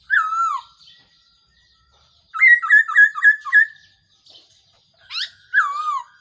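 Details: Used as a lure for trapping, this Black-throated laughingthrush call opens with a falling slurred whistle, breaks into five quick staccato notes, then ends with a rising sweep and a long descending slur.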